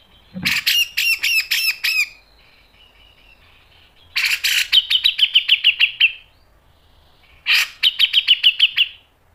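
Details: Grey-cheeked bulbul delivering sharp 'ngepik' and 'nembak' tutor song. Three separate phrases are heard. The first is a string of loud, slurred, down-sweeping notes. Later phrases open with a harsh rasp and roll into quick repeated chips.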